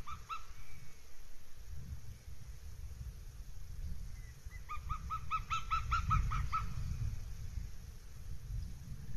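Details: Northern goshawk at a nest in Abernethy Forest, Scotland, 3 July 2022: a short kek pair, then a quick burst of about ten harsh, nasal notes in mid-clip, fairly distant against a low rumbling background.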